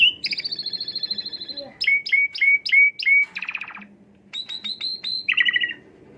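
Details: Asian pied starling singing, used as a lure to stimulate another bird: a long upper whistle, a string of five clear downslurred whistles, a harsh rattling burst, then rapid sharp ticks and a buzzy ending.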